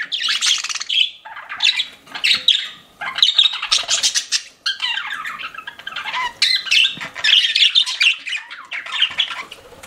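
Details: Pet budgies chirping in phrases: bursts of buzzy, rattling warble and squeaks, each lasting one to two seconds, separated by short pauses.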